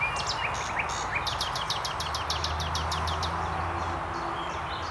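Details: Common nightingale singing at Highnam Woods, Gloucestershire, UK, on 2 May 2012, among several singing nightingales: a few varied opening notes, then a fast, even run of about a dozen sharp repeated notes, over a steady low rumble.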